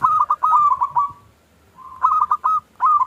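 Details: Zebra dove, local type with a small 'klung' voice, sung to lure and provoke other doves. Two phrases of rapid, ringing coo notes are separated by a brief pause, and a third phrase begins at the end.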